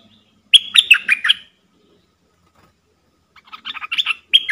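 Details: Decoy bulbul singing to provoke wild birds into fighting: two bursts of quick, bubbly chirped notes, the first starting near half a second and the second building toward the end, with a clear, quiet background.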